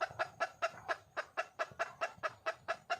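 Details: Hen red junglefowl in the wild calling for a male, giving a fast, regular string of short clipped clucks, about four each second.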